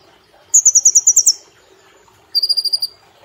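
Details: Caged brown-throated sunbird on a training track for cage birds, singing 'nembak platuk cililin': one fast, bright trill of about eight notes, a pause of a second, then a lower, level trill of similar speed.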